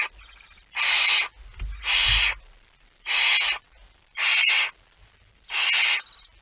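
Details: Barn owl at a nest, early on 19 September 2019; five evenly spaced loud, harsh screeching hisses, about one per second, each half a second long, with brief low scuffling between the first ones.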